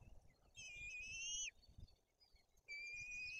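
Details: White-tailed eagles at a nest in Bory Tucholskie, Poland, with an adult bringing fish and feeding two chicks while the older chick acts aggressively; two drawn-out, thin whistled notes, each slightly rising and ending in a short drop, with a quiet pause between them.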